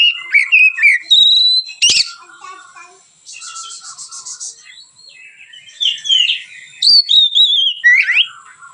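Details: White-rumped shama in relaxed song for training other birds: bright whistled slurs and chirps, a rapid rattling trill in the middle, with faint background chatter.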